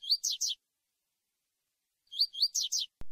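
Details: Double-collared seedeater (coleiro) singing tui tui style song, used to warm up a female; two quick bursts of high, clear upslurred whistles in fast phrases of three to five notes, separated by silence.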